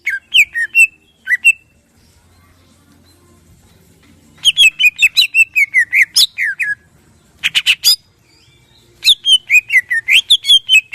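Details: Greater green leafbird in full morning song, used as a lure to provoke other birds to sing, with harsh 'shot' notes and crest-raising style. Rapid bursts of whistled, slurred notes with descending trills, broken by pauses and a few harsh rasping bursts.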